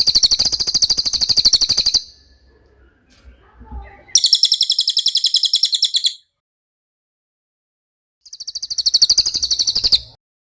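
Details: From a songbird tutor recording, a cililin gives three bursts of rapid, piercing high trills, each about two seconds long, separated by pauses with faint knocks.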